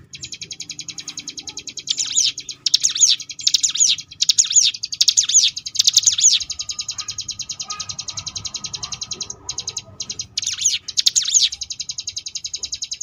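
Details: Sunda bush warbler giving a varied buzzing 'ngebrem' song, recorded as a training song for contest birds: high, buzzy, rattling bursts about every two-thirds of a second over a steady thin high ticking.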